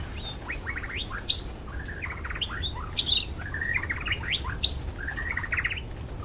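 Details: White-rumped shama singing in the wild, used as a lure to prompt other shamas to sing: varied phrases of rising whistles and quick rattled notes, with steady low background rumble.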